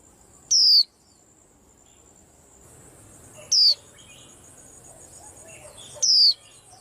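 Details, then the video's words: White-eye stirring up a commotion: three sharp, high-pitched descending whistles spaced about three seconds apart, with faint soft chirps between them and a steady high hiss behind. "Tiếng Chim Khuyên Làm náo loạn cả giàn"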